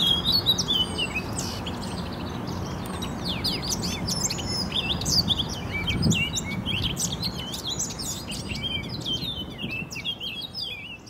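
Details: Eurasian blackcaps singing through spring 2018 in Poznań, Poland: a long, unbroken stream of quick chirps, trills and whistled notes, with a low background rumble and a brief thud midway.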